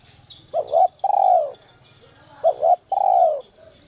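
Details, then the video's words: Two phrases from a spotted dove of the 'còi te te' voice type, a lure for wild birds: a brief two-note coo, then a long, smooth, falling whistle-like hoot, with faint high chirps in the background. "Chim cu gáy GIỌNG CÒI te te kích bổi cực sung, giọng nhạy bổi kích cu gáy bổi nhanh gáy"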